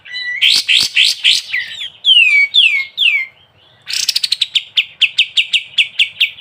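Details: Sooty-headed bulbul singing in ngebren style, opening with quick rising chirps and falling whistled slurs, then breaking into a steady run of sharp rattled notes.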